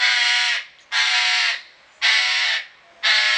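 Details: Eclectus parrot recorded 18 August 2017 at the Deanery Garden, Pelhřimov: long, raucous, buzzy shrieks of about half a second, evenly spaced about one per second, very loud and harsh throughout.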